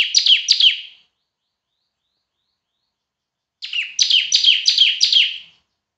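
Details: Bar-winged prinia (ciblek) semi-gacor, loud-voiced masteran song: two sharp buzzy descending chirps, a long silence, then a rapid run of five bright chirps about three per second, quiet background.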